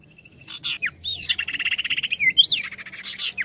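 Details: Sirtu, the ashy tailorbird, in full ngetril ngetrol song: sharp whistled notes open into a long, fast buzzy trill of rapid pulses, then a high rising whistle and further chattering notes.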